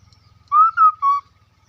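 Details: A hwamei gives one lure song phrase of three clear whistled notes, the second slightly higher, the last steady and lower, over a faint low ticking background.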